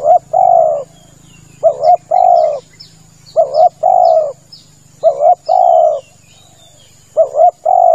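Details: Spotted dove calling steadily as a lure for ambush hunting: five repeated phrases of a clipped double coo and a long warm croo, accompanied by faint high chirps, a constant high tone and low background hum.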